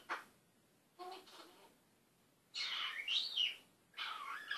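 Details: African grey parrot, a talking and swearing pet bird, gives raspy, speech-like phrases mixed with squeaky whistled slides, in several separate bursts across a quiet indoor room.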